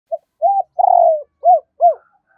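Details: Decoy spotted dove cooing to lure wild doves, in the thúc and gáy calling style: a short low note, one long drawn coo, then two arched coos, all mellow and even-pitched, with faint background.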